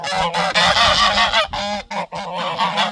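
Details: In a garden, geese guarding their territory give loud alarm honks, harsh and nasal, packed into rapid overlapping bursts.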